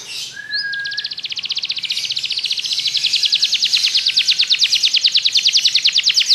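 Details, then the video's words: Belgian canary song meant to set other canaries singing: a short low whistle, then a long rapid trill of high clipped notes, steady and rhythmic to the end. "Canário belga seduz todos os canários para cantar - treinamento de canário"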